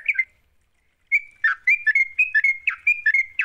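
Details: Energetic (gacor) sooty-headed bulbul song meant to coax silent birds into singing: a brief note, a pause, then a run of clear whistled notes mixed with lower, throaty chirps in an uneven rhythm.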